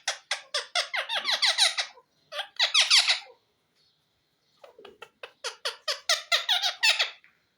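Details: Indoors, a green ring-necked parakeet gives rapid bursts of grating, downward-sliding squawks. About twelve come in quick succession, then a short cluster after a pause, and another long series after a silent gap.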